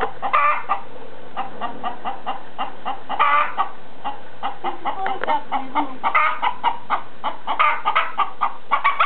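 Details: Chicken clucking in a busy run of short, sharp notes, often several close together, with a low steady hum underneath throughout.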